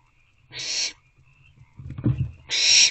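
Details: Evening in an owl box, 22 April 2024, with three owlets and one or two holding food: two short breathy hissing screeches about two seconds apart, a dull thud and rustle between them.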